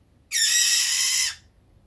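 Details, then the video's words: Pet Fischer's lovebird kept indoors, drowsy in warm sunny weather, gives one loud, harsh, buzzy screech lasting about a second, rich and raspy, in an otherwise quiet room. "ボタンインコ あかねﾁｬﾝのさえずり"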